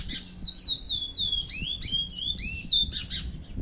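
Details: Curió kept as a pet, singing a continuous phrase of clear, high, downslurred whistles, each note sweeping and joined smoothly to the next, with a faint low hum underneath.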